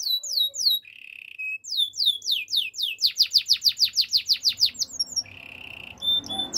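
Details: Spanish Timbrado canary delivers sweeping whistled notes, a short flat trill, then an accelerating series of about a dozen loud down-slurred notes before a steady rattling roll.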